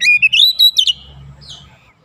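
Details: Oriental magpie-robin lure song to prompt other birds to sing, showing its repertoire. A quick sequence of rising, bright whistles and slurred notes in under a second, fading to quiet.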